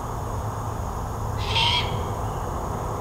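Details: Full-sized juvenile great horned owl in Lansing, Michigan, begging its parents for food: one raspy, breathy screech midway through, set against a constant low background hum.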